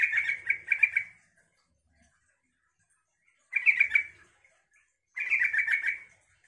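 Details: Yellow-vented bulbul song meant to provoke other bulbuls into replying: three short bubbly, gurgling phrases of rapid warbled notes, each about a second long, separated by pauses of silence.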